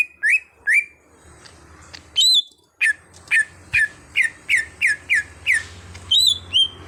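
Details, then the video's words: Cucak hijau (greater green leafbird), a kept bird made into an active singer, repeats loud, clean whistled notes about twice a second, each sliding downward, after a few slower opening notes. "Pandai Membuat Cucak Hijau Bahan jadi Gacor"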